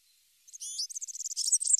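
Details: European serin singing, recorded for teaching young birds: a very high, fast, glittering stream of jangling notes starts half a second in and keeps going steadily, in a quiet background.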